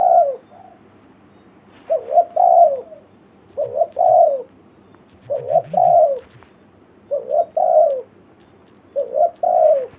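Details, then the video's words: Spotted dove calling in the village style, a recording meant to lure forest birds: a clipped double note then a longer dropping coo, repeated six times at roughly two-second intervals, with faint low sounds in the background. "suara burung tekukur pikat.suara kampung.elok untuk pnlangil burung hutan"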